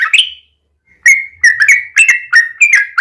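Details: Yellow-vented bulbul lure song: one slurred chirp, a half-second pause, then a string of bright warbled notes, each a quick up-and-down slur, delivered in rapid succession.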